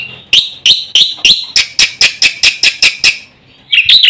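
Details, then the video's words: Black-winged myna singing a quick full song used to get silent birds singing: a steady chain of harsh, squawky notes, roughly four a second, a brief silence, then another harsh burst. "suara masteran jalak putih gacor full isian cepat untuk pancingan burung jalak macet bunyi"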